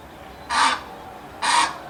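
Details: Australian white ibis, known as bin chicken: two harsh, broad, scratchy honking croaks about a second apart, each lasting a quarter second, over quiet background.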